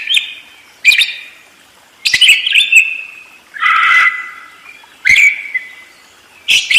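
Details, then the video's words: Budgerigar singing with rapid, busy chatter: bursts of buzzy, warbling notes and sharp chirps every second or so, separated by brief quieter gaps. "SUARA BURUNG PARKIT ‼️ NGEROL DERES GACOR DOR"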